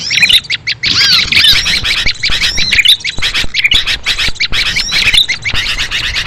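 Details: Calls for luring small birds, heard as a dense, busy jumble of high squeaky chirps and short squawks overlapping one another, with sharp clicks scattered throughout and a soft low hum beneath.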